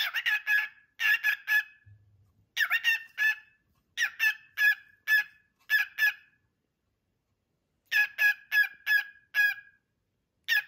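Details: Male guard bird barking to warn off intruders: harsh, raspy bark notes in tight bursts of two to four, repeated every second or so with short pauses and one longer gap, with quiet surroundings.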